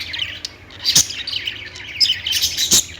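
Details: Several budgies chatter together in quick, high warbling chirps, with two sharp clicking bursts near the first and last seconds and a soft background hum.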